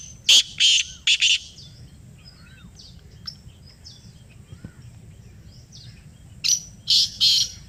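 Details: Black francolin replying to a played call. A quick set of three loud, grating notes opens the clip, then a quiet stretch with thin whistles from other birds, and a second harsh three-note burst at the end.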